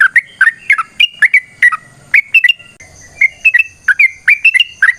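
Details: ['Yellow-vented bulbul giving an energetic long-phrased song, used to provoke caged birds into answering. It has clipped, bubbly whistled notes in pairs and short bursts, with a brief pause midway. A faint constant high tone sits in the background.']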